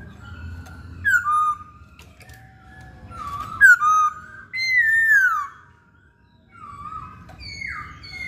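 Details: Masked laughingthrush in lively song: short bright whistled phrases, a pair of loud notes, then a long descending slurred whistle, a pause and a final falling phrase.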